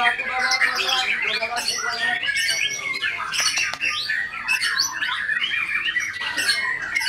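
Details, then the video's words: White-rumped shama in full song, a long rich medley of whistles, chatters and harsh notes packed tightly together, with loud sharp accents scattered throughout. "IN ACTION MURAI BATU SAKTI"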